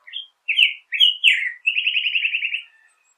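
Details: Black-headed grosbeak song opening with a few sweet, slurred whistles, then a fast run of rapidly repeated short notes forming a trill-like ending, quiet background.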